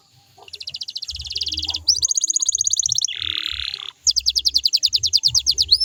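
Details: Song of a canary kept to make others sing back: fast rolling trills in even pulses, a higher rattling tour, a harsh buzzy burst, then another loud rapid trill ending in a rising note.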